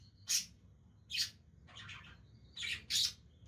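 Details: Playful budgies uttering a handful of short, harsh chirps and squawks, spaced irregularly, against a low constant background hum.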